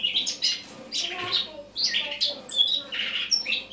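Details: Eurasian blackcap autumn song from the morning of 1 October 2017: loose clusters of scratchy, high twittering notes separated by brief gaps, with a few thin whistles.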